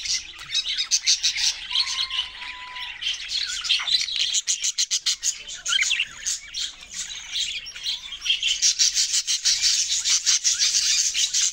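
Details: Budgerigars chirping in a dense, continuous chatter of high, scratchy warbles and rapid tweets that keep overlapping throughout, with no clear pauses and rising busier toward the end.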